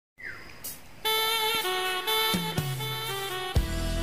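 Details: Saxophone jazz music with sustained brass notes and no animal voice.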